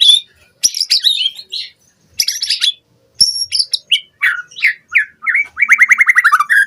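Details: White-rumped shama song played as a lure so caged birds sing constantly: scratchy high notes and chatter, then descending whistles and a closing rapid series of repeated slurred notes.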